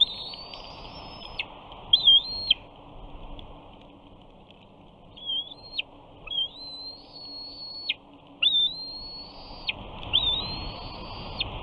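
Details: Bald eaglet on its Big Bear nest, 28 June 2019, screeing at its father, who perches briefly above and then flies off. Five high, drawn-out whistled screes with short wavering starts and steep falling ends, separated by quiet gaps.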